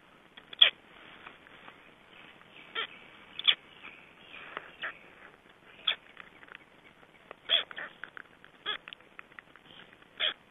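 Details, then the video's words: Black stork chicks shortly before their hatching date: short, sharp high peeps and squeaks, spaced irregularly every one to two seconds, some clustered in pairs, over a quiet background. "Voices of Black Stork chicks shortly before hatching date"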